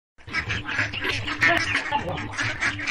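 Ducks quacking in a steady run of harsh, nasal bursts, several per second, overlapping as if from more than one bird.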